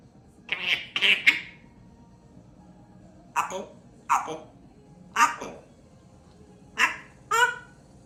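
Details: Female African grey parrot, kept indoors and chatty, practising learned words such as "I love you" and "apple": about seven short, raspy, speech-like bursts come in clusters with pauses between them, and a faint low hum sits underneath.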